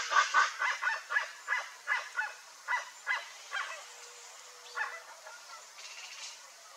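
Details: Flock of rare chestnut-bellied guans giving a burst of harsh, honking notes in quick succession, fading out after a few seconds with a few scattered later calls.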